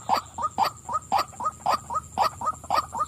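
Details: Female white-breasted waterhen repeating short, nasal 'kwak' notes, roughly eleven in three seconds, rhythmic and even, with some notes paired.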